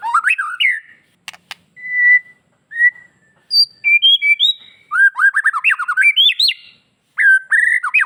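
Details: White-rumped shama from Bali in vigorous, varied song to make other shamas answer; long pure whistles give way to fast, tumbling phrases of slurred notes and sharp chips.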